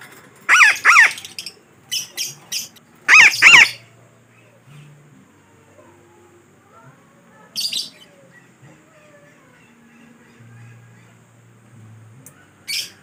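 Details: Parakeet lure call used for trapping: loud, harsh, raspy screeches delivered in short clustered bursts, several in quick succession near the start, then long quiet gaps with isolated screeches and a faint low hum.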